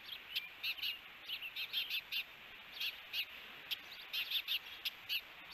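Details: Encounter between two ospreys at a camera-watched nest in Hellgate Canyon, Missoula, Montana, on June 21, 2022. High, sharp chirps repeat in quick clusters throughout, some doubled or tripled, against constant background hiss.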